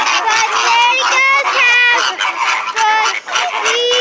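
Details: Flamingos kept at SeaWorld calling loudly. Harsh, nasal honks follow one another in quick succession, some with rising or falling slurs, forming a steady noisy flock chorus.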